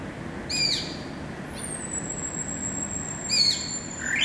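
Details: Greater racket-tailed drongo singing, recorded 7 February 2018: two short, sharp, harmonic notes about three seconds apart, with a thin high whistle sliding slowly downward between them over a quiet outdoor background.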